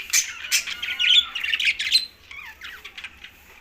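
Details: Green budgerigars chattering: dense bursts of scratchy, warbling chirps and short squawks, overlapping and uneven for a few seconds, then fading to softer, thinner twitters near the end.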